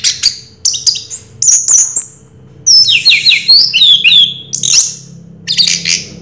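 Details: Orange-headed thrush in 'Raja Teler' song, high and rich, mixing thin squeals, quick trills and tumbling slurred whistles in uneven bursts, with brief silent gaps between phrases.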